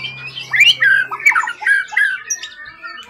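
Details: Competition bird from the forest, tail above 20 cm, in full form: loud harsh squawky notes and scratchy phrases repeated quickly, fading out at the end.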